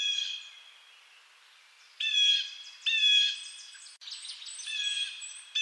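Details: Blue jay, eastern North America, giving a string of rough, nasal jay calls: one fading note, then several loud harsh bursts in quick succession with echoes trailing after.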